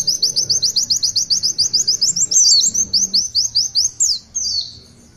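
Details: An actively singing Oriental white-eye gives a long 'tulitwitwit' phrase: some twenty rapid, very high chirping notes strung evenly together, followed by a few longer downward slurs.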